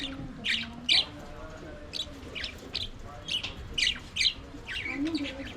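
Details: Flock of budgerigars singing and playing in their aviary, giving sharp high chirps in loose bursts of two or three, about two per second, over a soft background warble.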